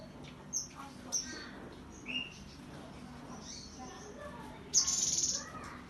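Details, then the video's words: Cinereous tit recorded Monday 15 September: a few sharp high chirps and a short whistled note, then a loud, very high, buzzy 'tembakan' rattle near the end, over steady low hum. "TEMBAKAN GELATIK BATU!!!!!!"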